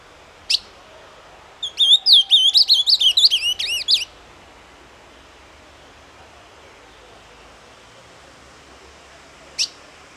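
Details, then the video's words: Azulão, the ultramarine grosbeak, in its 'doce amargo' song style: a brisk run of looping whistled notes lasting about two seconds, bracketed by single sharp chip calls at the start and near the end, with a quiet background. "AZULÃO DOCE AMARGO"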